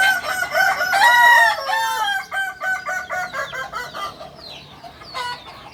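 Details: A kukuak balenggek cock from Solok, West Sumatra, delivers an extended crow. Loud, rich opening notes give way to a long run of short, evenly stepped tones that gradually fade, with one brief extra phrase near the end.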